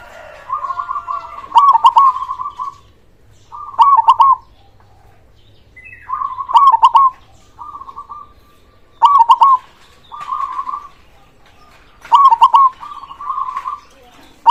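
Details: Zebra dove, a local perkutut singing lively with a large voice to encourage lazy or silent doves: loud stuttering coo bursts about every two to three seconds, interleaved with softer purring rolled coos.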